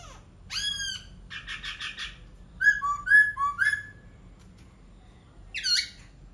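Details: ['Laughingthrush singing a varied run of clear whistled notes: rising trills, stacked buzzy chirps, then three loud downslurred whistles, each followed by a lower echo note, and a final sharp squeaky phrase, with faint low background hum.']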